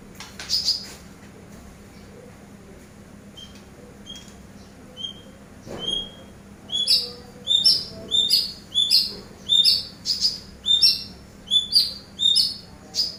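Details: Eurasian tree sparrow sound used as a master recording for training songbirds: sparse high notes at first, then a steady series of sharp, downward-slurred chirps roughly every half second, high and clear over a low steady hum.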